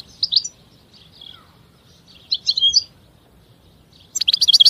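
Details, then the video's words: European goldfinch song: short bursts of bright, high, tinkling twitters separated by quiet gaps, ending in a rapid run of sharp chirping notes. "Chant Chardonneret تغريد طائر الحسون"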